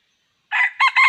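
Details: Red junglefowl rooster giving a loud, strained crow in three joined bursts, the last one held longest, after a brief silence.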